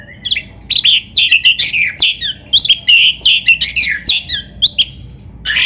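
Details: Energetic Oriental magpie-robin song meant to stimulate a caged bird into full song, made of dense rapid bursts of scratchy, whistled and buzzy notes repeated almost continuously, each burst under half a second.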